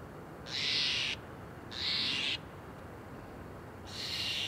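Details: Steller's jay perched at the top of a tree, giving three loud, harsh, rasping calls, each about half a second long, spaced by roughly a second of steady background hiss.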